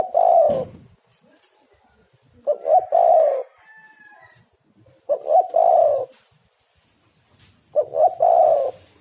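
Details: Spotted dove (tekukur) cooing, used as a lure to draw other doves: low, mellow three-part coos, two short notes then a long drawn-out note, repeated about every two and a half seconds.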